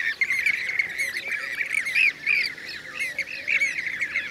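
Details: Blue-cheeked bee-eaters in Şanlıurfa, Turkey, 2016: several birds giving rolling, burry trilled calls in overlapping bursts, with thin high zigzag notes from other callers above.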